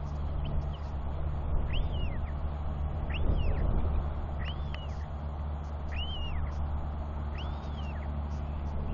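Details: Royal albatross chick wheeing as it walks down a track toward its father, who returns to feed and preen it, 9.6.21. Five arched, rising-then-falling whistles come about every second and a half over a steady low wind roar.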